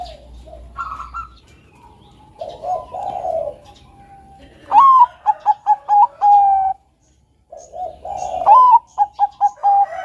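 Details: Bangkok-type zebra dove singing a melodious training song: a rising opening coo, a run of four or five short clipped notes, then a long level final note. The phrase repeats twice among softer, rougher background cooing.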